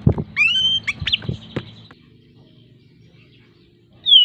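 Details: Oriental magpie-robin in breeding condition, a lure for other birds: scattered clear whistles, one long level note, with loud clicks and knocks, a pause, then a rising high whistle at the end.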